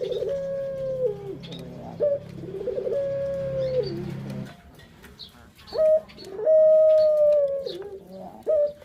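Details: Puter dove, a tame cage bird, cooing as a lure for other birds: two long level coos with rolling starts, a quiet pause with distant chirps, then a loud rising note and a further extended coo.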